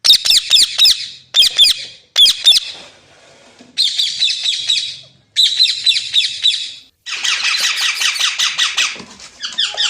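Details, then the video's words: Loud parrot chatter: rapid bursts of harsh, ticking, buzzy notes delivered in phrases of one to two seconds with brief gaps, growing denser and more continuous toward the end. "Amazing Parrot Talking Sounds Videos | Parrot Voice| Mitthu Ki Awaaz | Parrot Ki Awaaz"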